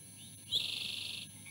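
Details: Female osprey at her nest, refusing to share the meal she brought while her mate tries to take a bite: one sudden high, shrill burst of quickly pulsed chirps lasting under a second, then quiet.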